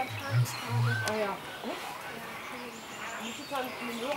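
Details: Blue-billed curassow (Crax alberti) displaying at Vogelpark Walsrode, Germany, giving two deep, bass booming hums in the first second, hard to hear under loud background noise and other birds' chirps and whistles.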